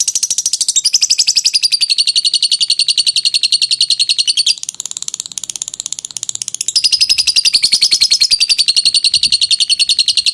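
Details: Lovebird singing its long ngekek chatter, a song used for training birds: dense rapid high pulses, a softer, lower-volume stretch in the middle, then loud steady chattering again.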